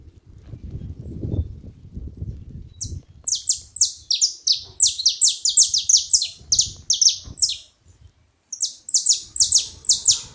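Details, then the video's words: A group of saffron finches making noise together: after a few quiet seconds, rapid runs of bright, high chirps that drop sharply in pitch, overlapping in quick succession, pausing briefly, then resuming. "Canarinhos da terra junto fazendo barulho"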